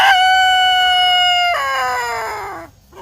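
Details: Domestic rooster giving a single long crow: a clear, steady harmonic cry held for about one and a half seconds, then stepping down into a slowly sliding, fading tail.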